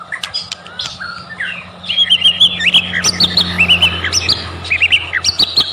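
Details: White-rumped shama singing as a lure to provoke song: a varied run of warbled whistles and quick chirps, growing louder after a soft start, over a low electrical hum.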